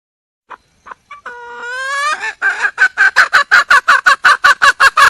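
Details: Red junglefowl hen seeking a mate, calling loudly: scattered soft notes, a drawn-out rising nasal tone, then rapid repeated harsh cackling clucks at a fairly regular pace.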